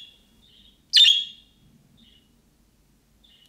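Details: Budgerigar giving a calling-style chirp like that of young birds, which other budgies answer at once. A single loud, harsh, buzzy chirp sounds mid-clip, with faint softer twitters before and after in a quiet room.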